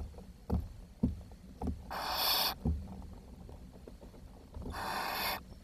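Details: Barn owl chicks in the nest box, June 2023, too little food delivered: two rough hisses separated by about three seconds, with several dull knocks and bumps from the nest.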